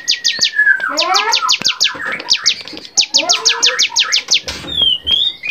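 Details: Bar-winged prinia song from a training recording for songbirds, lively varied style: rapid series of sharp descending notes about three per second, broken by lower sliding whistled phrases and a brief noisy burst near the end.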